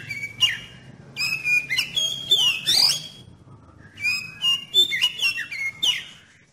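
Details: Song of an oriental magpie-robin used as a lure to spur other magpie-robins into song: rich, varied whistles, some held, some swooping, in two lively phrases over a faint low hum.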